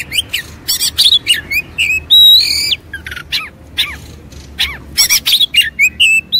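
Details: Agitated Oriental magpie-robin in fighting mood, tail spread, singing loud bursts of whistled and scratchy phrases: sharp rising whistles, harsh buzzy chatters and a sustained piercing note, separated by brief pauses.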